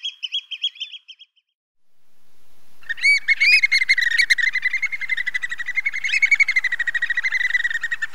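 A plover gives a short burst of high whistled notes, then a pause and a long run of rapid piping, about four notes a second.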